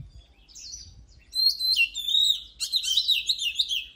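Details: Oriental magpie-robin giving an energetic song: a thin downslurred note, then loud overlapping whistles and fast twittering phrases that continue to the end.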